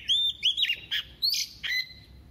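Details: Decoy female Oriental magpie-robin singing double-voiced song meant to stir males: a quick run of sharp, bright whistles and short chirps, some slurred down, ending in a steady high whistle.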